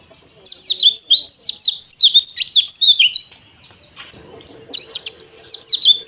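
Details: Oriental white-eye of the dakbal type singing with open beak on a terrace: rapid, high twittering of thin swooping whistles and chirps, dense and continuous with a brief pause near the middle.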